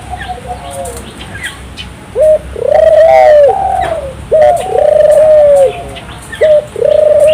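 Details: Vigorous song of a turtle dove, used to get local doves singing: faint coos at first, then loud repeated pairs of a short note and a long rolling low coo, with faint chirping of other birds.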